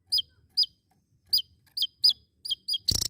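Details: A Javan tesia utters short, sharp downslurred high notes, about seven in three seconds at uneven spacing, ending in a brief loud buzzy burst.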